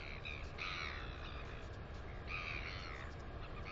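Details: On 9 September 2020 a New Zealand nest camera shows a female northern royal albatross chick up close: two clusters of short, chirpy harmonic calls about two seconds apart, with a continuous low wind roar.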